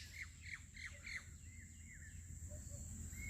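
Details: Black francolin calling: a quick run of harsh, squawky notes with sharp downward-sweeping syllables in a rough rhythm, then softer slurred notes, over a steady low rural hum.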